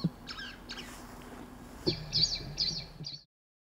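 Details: Wild Blood pheasant in the eastern Himalaya giving a quick series of thin, high, squealing notes, about four in the last second and a half, over a low steady hum.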